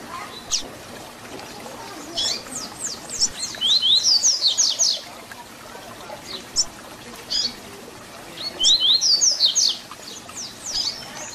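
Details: Papa-capim (double-collared seedeater) repeating its 'Tui Tui Zel Zel' fibra song meant for tutoring young birds; two full phrases of rising whistles and quick downstrokes, with scattered softer notes between.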